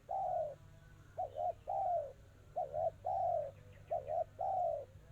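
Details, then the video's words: Spotted dove singing in the crystal-clear, tight and fast tekukur style: a quick doubled coo followed by a long, drawn-out falling coo, repeated about three times in quick succession over a steady low hum. "Suara burung tekukur kristal rapat cepat"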